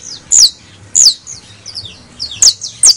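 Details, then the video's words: Criollo canary sound meant to rouse domestic canaries into song: a few piercing high notes that slide downward, spaced irregularly over a few seconds, with softer faint chirps between them. "AUDIO para ALEGRAR a nuestro CANARIOS CRIOLLO, bastos, finos, criollos"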